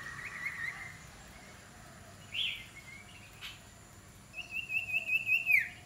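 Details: Black-naped oriole being trained as a fierce decoy bird gives a buzzy, high call, then a short note and a fast, even chatter of rapid notes near the end, over steady background hiss.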